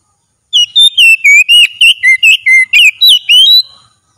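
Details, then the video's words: Oriental magpie-robin singing at full strength in daily training: a three-second string of about twelve clear whistles, rising and falling in pitch, with a few harsh buzzy notes, then quiet. "30 MENIT TERAPI HARIAN KACER LANGSUNG GACOR"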